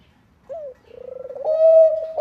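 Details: Bangkok zebra dove singing lively to get other doves calling: one short rising-falling note, then a fast purring trill that swells into a loud, steady, clear coo.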